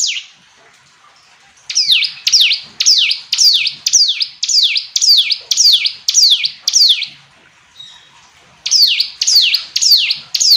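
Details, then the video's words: Long runs of hill prinia song: bright, high notes repeated about twice a second, each swooping down then up. Two steady series are split by a short silent pause. "Ciblek gunung istimewa, hitungan detik dijamin langsung bunyi ‼️ jernih"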